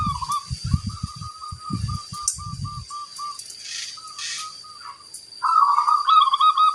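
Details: Local zebra dove singing actively, with a big 'kung' voice. Short cooing notes repeat rapidly in a steady series, then a louder rolling phrase follows. Low thumping noises sound over the first half.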